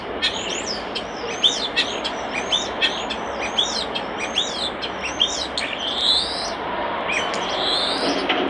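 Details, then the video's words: Common starling by a nest box, with a rapid run of high, repeated chirping notes, then long drawn-out whistles and softer chatter, all over a constant hissing background. "Common Starling Bird Song and Call By Nest Box"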